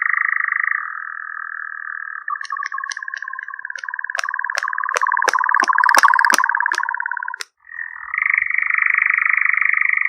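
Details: European nightjar giving its long rattling churr, which changes pitch several times. Sharp, loud clicks or claps are spaced about half a second apart over the middle section, and there is a short pause before the churr resumes at a higher pitch.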